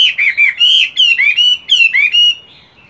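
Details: Moulting caged Chinese hwamei in morning voice practice, delivering loud, rich whistled phrases that slur up and down, about eight quick notes in two seconds, then a fading quiet close.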